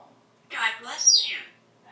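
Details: African grey parrot alone on a porch, vocalizing during a live session: a breathy, rough burst followed at once by a bright whistle that slides steeply downward, all within about one second.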